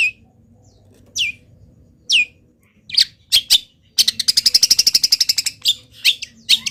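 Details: Moulting local long-tailed shrike singing borrowed wild-bird phrases: a few falling whistled sweeps, then clipped harsh notes, then a fast even rattling trill, ending in scattered chirps.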